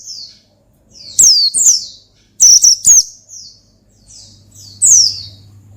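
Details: Pleci, the Oriental white-eye, in rival-provoking 'ngalas' song: thin, high downslurred whistles, some paired or tripled, separated by short quiet gaps, over a soft low electrical hum.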